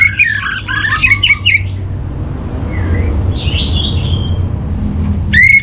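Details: Orange-headed thrush training song: a busy run of chirped and whistled notes, a pause, a faint drawn-out whistle, then one sharp loud note at the end, over a low rumble.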